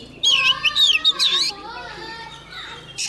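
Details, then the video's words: Young Oriental magpie-robin singing vigorously as a wild bird comes near: a burst of bright, looping whistled phrases in the first second and a half, then lower voices that sound like children talking and playing. "Choè than non lên hót cực sung khi bổi đến gần"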